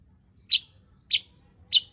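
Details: Long-tailed shrike, part of a lure to get other shrikes singing: three short, harsh, doubled chips, each a scratchy high note, evenly spaced about two-thirds of a second apart.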